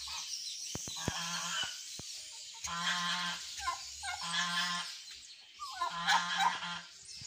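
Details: Mature female goose giving loud, nasal honks with rich stacked harmonics, delivered in bouts of several syllables separated by short pauses, over a steady background hiss with a few sharp clicks.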